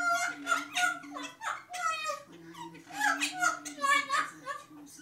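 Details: Two parrots laughing, one out of view, producing rhythmic, voice-like bursts of laughter with rising and falling tones, repeated in quick chuckling runs throughout, in a small indoor room.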